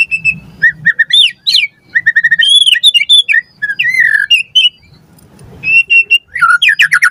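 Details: White-rumped shama song used to train captive birds, with repeated short whistles, looping sweet phrases and a few harsh notes, pausing briefly before a final flourish.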